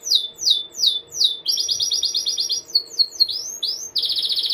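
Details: Canary delivering a rolling tutor song for other birds: four loud descending whistled sweeps, a fast rattling trill, varied upslurred notes, then a dense buzzy roll; faint low hum underneath.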